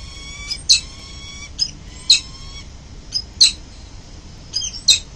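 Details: Peregrine falcon parents arriving home at a building nest ledge in the early morning of 22 November 2024, caught by a live-stream camera: harsh, grating calls given in pairs of bursts, separated by stretches of steady background hiss.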